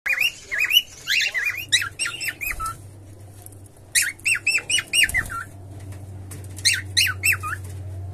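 A cockatiel sings bursts of bright, wavering whistles and chirps, with a low hum underneath.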